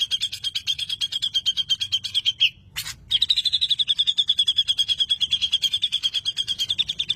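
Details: Grey-cheeked bulbul, kept bird, delivering a long 'ngeroll' roll meant to provoke other birds to sing: a fast, steady, high trill of pulsed notes sustained for seconds, broken once by a brief click.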